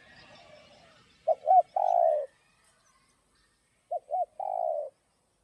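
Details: Spotted dove singing to stimulate other doves, local 'giọng đồng' style. It gives two coo-coo-croooo phrases about two and a half seconds apart. Soft birdsong comes at the start, then clean silence between phrases.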